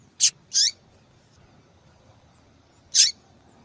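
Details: Female double-collared seedeater calling a lot, a call used by breeders to attract males and stir a quiet male to sing: two sharp, high, brief chips close together, then a third after a long pause.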